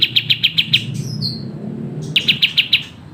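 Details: Sooty-headed bulbul in energetic, fast song for songbird-training use. Sharp high chirps repeat quickly and give way to a descending whistled slur. After a pause, another short burst of chirps follows.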